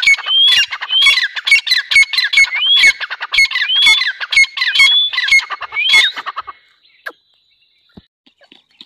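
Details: Loud, rapid calling of a grey francolin (teetar): harsh, ringing, whistled phrases tumble out quickly for about six seconds, then stop abruptly, leaving near silence with a few faint clicks.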